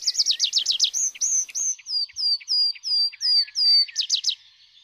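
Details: Tree pipit song, likely given from a high song post or during its parachuting display flight to mark territory: a fast trill of high notes, then drawn-out, slightly descending whistles, ending in another quick trill.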